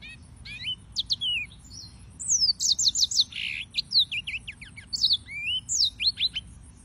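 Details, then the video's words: Yellow-fronted canary singing in short bursts of high whistled notes, sharp downslurred chirps and rapid slides, with brief gaps between phrases and a steady faint background hiss. "Suara Burung - (Serinus Mozambicus) White-tipped Green Singers Singing"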